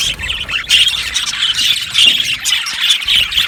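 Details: Several budgies chatter at once: shrill, squeaky chirps and short squawks overlapping without pause, growing louder in bursts about every half second.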